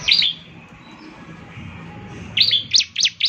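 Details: Bar-winged prinia notes meant to spur a caged bird to sing: a brief chirp, a long quiet gap with low background hum, then a clipped series of four sharp high notes.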